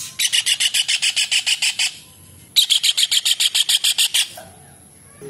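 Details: Kingfisher (tengkek udang, cekakak, raja udang) in full voice, used as master material for songbird training: two fast series of harsh, evenly spaced notes, about fourteen and then ten, separated by a short pause.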